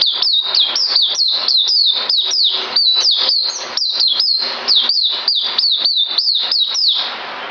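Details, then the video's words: White-eye, 9 December 2018, delivering a sustained run of sharp, high chirped whistles that rise and drop in quick succession, steady and energetic throughout with a faint low hum in places. "Puteh Mousey Dragon Saber"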